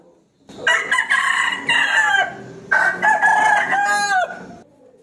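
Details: Rooster challenging an opponent, crowing twice in succession: raspy, buzzy cock-a-doodle phrases, the second ending in a long held note that slides down and cuts off.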